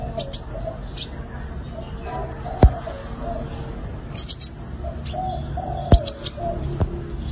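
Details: A sunbird gives its fighting song, used as a lure for trapping birds, as bursts of very high, sharp double and triple chips. A dove coos softly in the background, with a few clicks.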